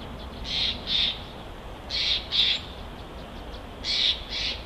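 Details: Bald eagle at a nest in Big Bear on a live nest camera, giving paired high, squeaky chirps, three pairs about a second apart, against constant hiss.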